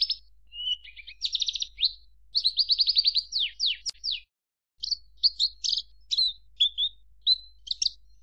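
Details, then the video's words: Javan bush lark song with rapid trilled series, descending slurs and scratchy notes, a brief silence, then scattered sharp chirps and short whistles. "Suara Kicau Burung Branjangan"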